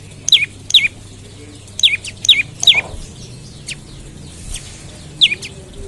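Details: Morning lure call of an olive-backed tailorbird, used to get other tailorbirds singing: high, downward-slurred chip notes in an uneven series, some paired closely, with short pauses between them.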